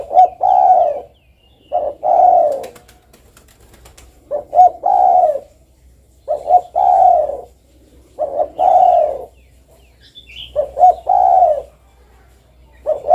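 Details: Spotted dove calling persistently: six phrases, each a pair of short coos leading into a longer, smooth, falling coo. A faint brief chirp from another bird is heard near the end.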